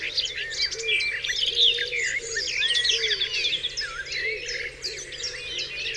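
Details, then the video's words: Dewlands Common at dawn, a full chorus of songbirds: rapid high chirps, whistles and trills overlapping continuously, with a steady series of soft low coos in the background. "Dawn Chorus"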